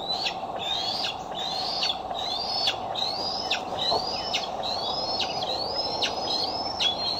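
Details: Bald eagles coming and going at the Decorah nest on 6 July 2011, from a nest camera: a steady series of high, slightly rising whistled notes with sharp downward tails, about one per second, over constant hiss.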